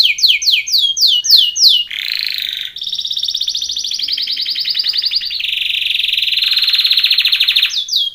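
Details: Canary song used for training: rapid repeated downslurred notes, then long buzzy rolling trills held for several seconds, with a return to quick descending notes at the end.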